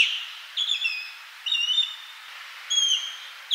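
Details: Osprey giving three level, whistled calls, each a short cluster of clear, slightly wavering high notes about a second apart, then a sharp high note cut off at the end.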